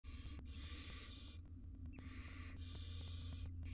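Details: Wild barn owl mother grooming tiny chicks in a monitored research nest box: two long, harsh, breathy hisses of about a second each, separated by a short gap, over a steady low electrical hum.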